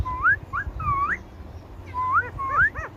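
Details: Talking Indian ringneck parakeet repeats bright rising whistles, each sweeping sharply upward. Two pairs are separated by a pause of about a second, with short stacked chirps between them.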